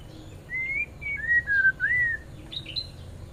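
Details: Male white-rumped shama in a small aviary being fed mealworms while other caged birds interfere. Clear whistled notes near mid pitch: a rising whistle, then a slurred falling series of five or six notes, ending with higher short notes.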